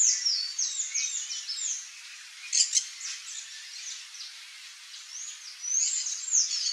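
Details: Palm tanager giving high, squeaky chattering phrases of quick up-and-down slurs, with a pair of sharp louder chips in the middle and another twittering burst near the end.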